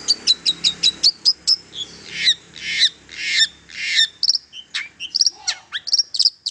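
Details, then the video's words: Long-tailed shrike song meant to coax silent shrikes into song. It opens with a fast series of clipped ticks, then harsh rasping notes, and ends with bright whistled chirps. "KICAU INI AMPUH MERANGSANG CENDET BISU JADI GACOR"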